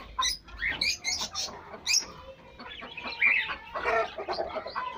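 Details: Pet hens and pet chicks meeting: sharp high chick peeps early on, then a mix of short clucks and bright chirps that grows louder toward the end.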